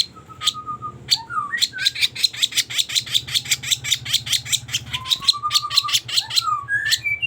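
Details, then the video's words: Sooty-headed bulbul sound used as a trapping lure: a fast run of sharp, clicking chatter notes about three per second, broken by a few short, level whistled notes, over a faint low hum. "Suara pikat burung kaso kaso gacor"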